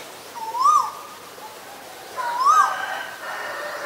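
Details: Asian koel giving two loud, clear swelling notes that rise and then dip, about two seconds apart, each ringing with a reverberant tail over faint background hiss.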